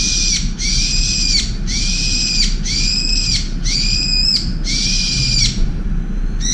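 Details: Brown-eared bulbul shouting at a turtle dove that displaced it from a window feeding spot; six long, piercing screeches of nearly a second each, repeated with short gaps, against a low constant rumble.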